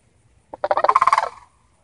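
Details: A family of sandhill cranes visiting a yard gives a rolling, rattled call: a quick run of about a dozen rapid, throaty pulses lasting just under a second, rising in loudness and then fading, with quiet surroundings.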